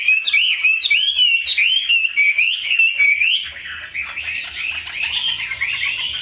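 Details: Caged Chinese hwamei sings a series of looping, up-slurred whistled phrases for about three seconds, then softens into a thin, high, fragmented warble.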